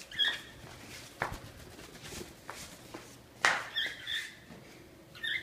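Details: A cockatiel chasing its owner around a porch gives brief, harmonic chirps between sharp tapping and pattering sounds.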